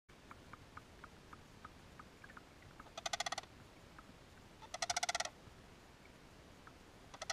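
Sarus crane giving loud, harsh, rapidly pulsed trumpeting bursts, two main bouts close together, with soft short high notes repeated in between.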